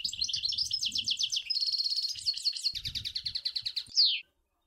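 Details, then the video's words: An unbroken European goldfinch phrase recorded at Sour El Ghozlane: quick rhythmic twitters, a sustained buzzy trill, then more repeated chattering notes, finishing with a loud descending slur. Faint low knocking is heard behind it. "Chant Chardonneret sour el gouzlane"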